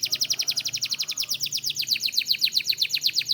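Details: Steady rapid trill from a canary of Türkiye: clipped, bright notes repeated about four per second, slightly speeding and rising toward the end, over a soft low hum.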